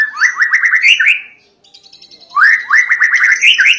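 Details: White-rumped shama in persistent, fierce song said to provoke other shamas into singing. Two bursts of rapid rising whistled notes climbing in pitch are separated by a brief near-silent pause with faint high twitters.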